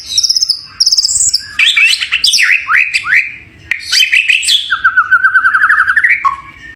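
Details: White-rumped shama, a champion bird, singing a high whistled phrase, then a jumble of rich warbled and slurred notes, ending in a rapid lower trill that rises before a final drop.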